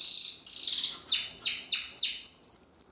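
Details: Practising young Timbrado canary, 2020 bird: a sustained buzzy note followed by a series of sharply descending swooping notes about three per second, ending in clipped high pure whistles.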